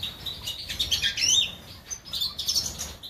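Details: Major-type European goldfinch from Germany, 2020: fast liquid twitters and rising whistled slurs, a louder burst mid-way, then a brief dip before chattering notes resume; soft low background hum.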